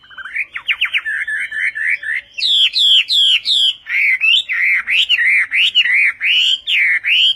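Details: Chinese hwamei singing in the Vietnamese song style: rapid rising sweeps, then loud looping whistled phrases repeated about twice a second, bright and varied throughout.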